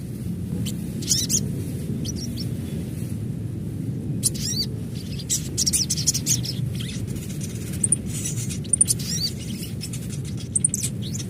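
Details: Natural call of an adult Ruby-cheeked Sunbird, said to spur other sunbirds into quick chattering. Scattered thin, high chips and short twittering bursts run through the recording, busier in the middle, over a low constant hum.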